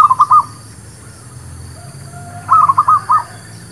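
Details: ['Merbuk kampung (zebra dove) lure song: the tail of one bubbly cooing phrase opens, then a full phrase of five or six quick, rolling notes follows after about two seconds of quiet hum.']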